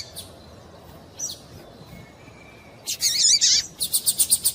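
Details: Female double-collared seedeater calling to provoke a male's song: faint thin notes at first, then a loud buzzy rattle and a quick series of about eight evenly repeated high chips.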